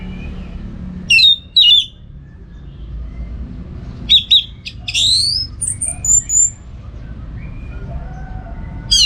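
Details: Orange-headed thrush song used as a training recording for bird song contests, from northern Bali, Singaraja: loud sharp whistled notes and a rich warbling phrase, separated by pauses, over a low background hum.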